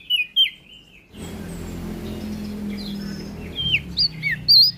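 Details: NTB prinia giving a couple of sharp, high chirps, then, after a noisy gap, a few scattered bright, downslurred notes getting louder at the end.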